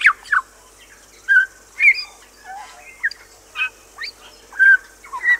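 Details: New Zealand bellbird singing on Little Barrier Island, New Zealand: scattered clear, bell-like and liquid notes, some sliding up or down, separated by short gaps, over a steady high hiss.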